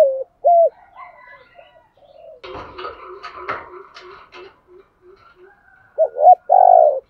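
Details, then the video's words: Spotted dove used as a lure for wild doves: a single loud low coo, then a stretch of rustling and clicking noises with faint soft notes, ending in a short burst of loud hollow coos. "chim cu mồi thúc gù bài bản nhất hiện nay, chim cu gáy kích bổi hiệu quả nhất hiện nay"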